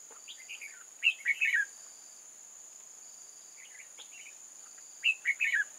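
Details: Red-whiskered bulbul used as a lure in bulbul trapping, 8 October 2018. Chirpy, slurred song phrases repeat roughly every four seconds, each climaxing in three quick descending notes, while a shrill insect drone continues steadily.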